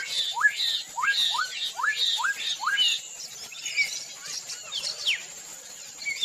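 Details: Black-headed mockingbird of South American swamps, living in pairs: quick rising whistled upslurs repeated about twice a second, then a jumble of scratchy, varied higher notes.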